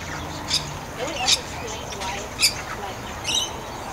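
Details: Likely a little lorikeet, not certainly identified, at the Canberra Walk-in Aviary gives short, shrill, scratchy screeches, four over a few seconds at an uneven pace, with a murmur of voices and background hubbub.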